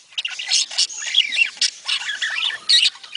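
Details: Budgerigars calling in a sound offered to encourage mating: short harsh squawks alternate with quick looping warbled chirps, several bright bursts in about three seconds.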